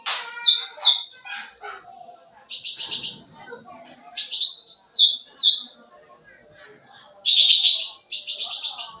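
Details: Sooty-headed bulbul in full song rich with fill-ins, a lure for young birds; rising whistled slurs with harmonics, harsh buzzy chatter bursts, and repeated fast high rattling phrases.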